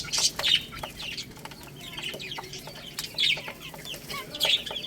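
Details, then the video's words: Young chicks eating rice, giving short high chirps that slide downward in small bursts, with sharp clicks between them. "Crazy Little Chicks Eating Rice | Cute Baby Chicken Chirping Sounds"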